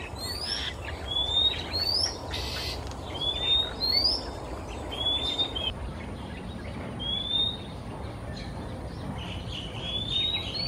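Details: Male Oriental Magpie-robin singing during a quiet afternoon in Singapore, flying between perches. Bright rising whistles repeat about every two seconds, broken by a brief harsh burst, over constant low rumbling noise.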